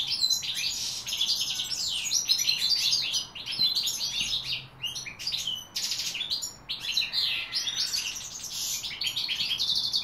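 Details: Long goldfinch song bout from 2016, a lively chain of rapid twitters, buzzes and tinkling notes broken by a few brief pauses, bright and high throughout.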